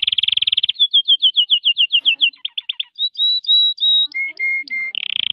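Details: Canary in song: a quick rattling trill, a run of descending slurred notes, short whistles, three lower flat notes, and a final dense trill.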